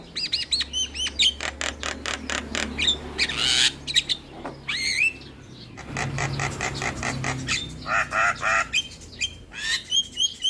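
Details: Javan myna full song meant to lure quiet mynas into singing: fast bursts of harsh clicks and squawks, interspersed with rising whistled notes and scratchy chatter, over a steady low background hum.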